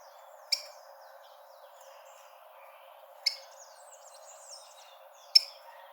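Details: Rufous-collared sparrow (Zonotrichia capensis), a call used to stimulate birds at the start of the breeding season; three sharp, high chip notes spaced about two to three seconds apart, with faint distant birds over a steady low hiss.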